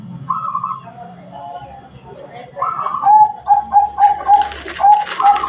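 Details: Local zebra dove sings a run of clear, evenly pitched cooing notes, about two per second in the second half, after softer opening coos; a hiss rises near the end.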